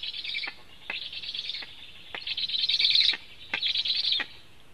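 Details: Black storks in Latvia at the nest as food is delivered, 24 July 2015, filmed by a nest camera: dense, hoarse high-pitched chattering in four bursts of about half a second to a second, each ending in a downward slur.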